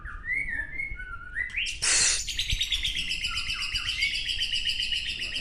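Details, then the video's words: White-rumped shama, a caged bird moulted once since 2019, singing at a group training session in Gayo Lues, Aceh: varied whistled phrases, then a loud burst and a long run of rapid buzzy trilled notes. "Murai Batu Gunung Leuser"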